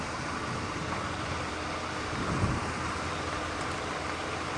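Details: Steady broadband rumble of a moving vehicle with one brief knock midway; no animal sounds stand out.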